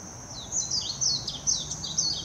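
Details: Warbling white-eye singing in Hashimoto, Wakayama Prefecture, Japan, on 26 June 2021, filmed with a Nikon Coolpix P900: a fast, high twittering run of thin downward-sweeping whistled notes, each slurring into the next, over a faint low rumble.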